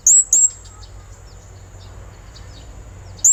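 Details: Blue-crowned hanging parrot in lively lure song to call a rival: two quick thin, high, slightly rising notes, a three-second gap, then a third matching note.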